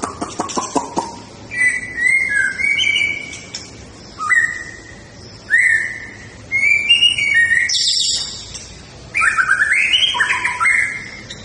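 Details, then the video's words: White-rumped shama singing in fighting style: rapid clicks open into rich slurred whistled phrases separated by short pauses, mixed with high buzzy notes, over steady background noise. "Gaya tarung MURAI BATU SUPER"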